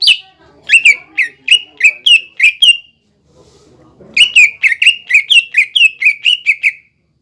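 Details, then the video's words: Cucak ijo song played to make young and newly caught birds sing: two long bursts of rapid, loud whistled notes, each dropping in pitch, separated by a short pause with faint low rustling. "PANCINGAN CUCAK IJO BIAR EMOSI BUAT CUCAK IJO TROTOLAN MUDA DAN OMBYOKAN AGAR BUNYI"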